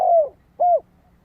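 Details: Spotted dove cooing, used as a lure song to excite decoy birds: two deep, mellow coos, the first longer and gently falling, the second short and arched, in a quiet background.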